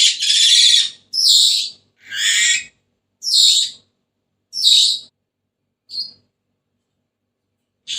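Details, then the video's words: Senegal parrot giving harsh, high-pitched squawking calls in short bursts, roughly one per second, with no other sounds. "تغريد ببغاء السنيغالي the sound of the parrot senegal"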